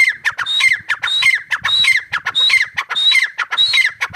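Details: Grey partridge (teetar) giving a loud, rhythmic call series: harsh squawking notes mixed with a clear high whistled note, the phrase repeating roughly every half second without pause.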